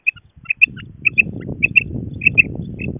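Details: Female quail associated with quail hunting: crisp, high, clipped notes, single or paired, repeated several times a second over a steady low rumbling background noise.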